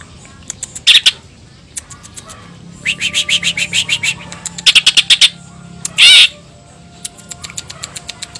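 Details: Greater green leafbird, a lively singing bird with cililin-style song content: bursts of rapid clicking, ticking notes in series, broken by a few loud harsh chirps; faint low hum throughout.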